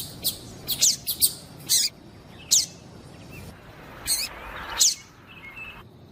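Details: A female double-collared seedeater calls with short, bright, high chirps in a quick cluster, then single spaced notes, and a thin steady whistle near the end; the call is used to spur the male to sing.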